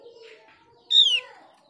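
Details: Lure recording of a Mees's white-eye, meant to make other white-eyes answer: a single strong whistle falling steeply in pitch, following quieter background tones.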